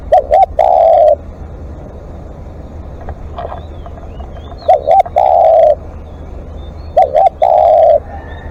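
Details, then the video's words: Spotted dove calling long in a live decoy setting: three phrases, each a pair of short coos leading into a drawn, even coo, with soft thin bird notes in the background. "เสียงนกเขาใหญ่ ต่อสดเรียกยาวๆ"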